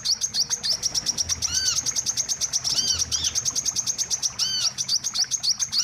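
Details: Wiceh bird calls used to lure birds for trapping: steady fast high chirps, with arched, ringing notes appearing about every one and a half seconds.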